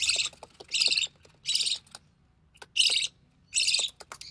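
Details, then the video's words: Young recessive pied budgie, the only one of three hatched chicks to survive, calls during feeding by its mother: short scratchy, buzzing bursts in an uneven rhythm, with a longer pause midway and light clicking sounds around them. "Budgie Chick - Recessive Pied Budgie"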